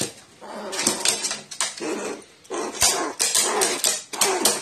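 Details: A crow behaving like a nestling after being given water, recorded 29 March 2018, gives harsh, raspy, noisy bursts. They come in uneven clusters with short pauses between, indoors.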